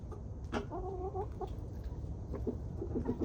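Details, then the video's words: Homestead hens and roosters enjoying a 20-degree warmup to 37 degrees; a short sharp note followed by a mellow two-part cluck and low murmuring clucks, with steady low rumble behind. "Chickens are enjoying the 20 degree warmup(37)."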